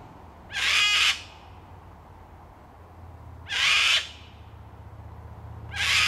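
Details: A cockatoo in a tree, complaining about the recordist's presence, gives three harsh, raspy screeches, each about half a second long and roughly three seconds apart, over a faint low rumble.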